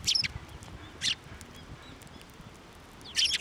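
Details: At a Tenmangu shrine in late January 2024, sparrows fly to an outstretched hand for food, giving short, bright chirps three times across the moment, separated by quiet outdoor background.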